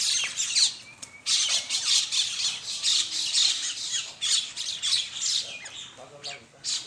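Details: Morning flock of common mynas at a feeding spot in Bangladesh: loud, grating squawks and scratchy chatter in overlapping bursts throughout, harsh and busy, with a brief lower nasal call near the end.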